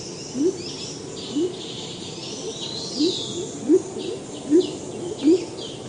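Salvadori's Pheasant giving deep, short upslurred hoots, about seven in six seconds at a slightly uneven pace, over a hiss of forest insects and distant high birdsong.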